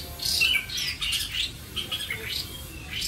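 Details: Captive White-rumped shama in Vietnam singing softly: blurred, squeaky whistled phrases rising and falling, with rasping broadband notes between them, heard indoors over a faint hum.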